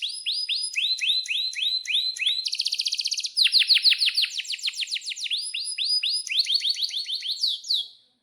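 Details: Canary song with sharp chirps and a long roll, meant as a lure and master for young canaries learning to sing; quick series of swooping high notes, a dry rapid trill midway, then more falling whistles fading out.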